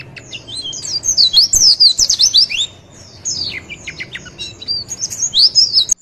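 A Javan white-eye sings a rapid, high twittering of thin sweeping notes, bursting out in busy runs with a brief pause midway.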